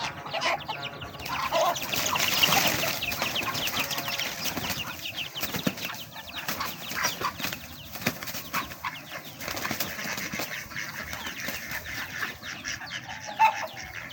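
A flock of chickens feeding: soft, scattered clucks and murmurs over constant scratching, pecking and rustling, with a brief flurry of wing flaps.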